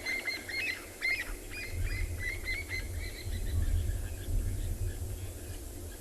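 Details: Francolins give harsh, rapid, repeated cackling alarm calls for about three seconds, then fade, over a steady low rumble of wind or an engine, at sunset on 28 September 2020, near where wild dogs caught an impala.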